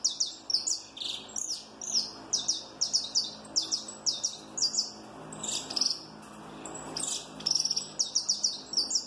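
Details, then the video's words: ['Peruvian saffron finch of a giant mutation, singing loudly with a snapping delivery: rapid, sharp, high chirped notes in quick bursts, about two to three per second, continuing steadily over faint background hiss.'] "CANÁRIO DA TERRA PERUANO ESTALANDO MUITO FORTE - CANTO DO CANÁRIO DA TERRA MUTAÇÃO GIGANTE"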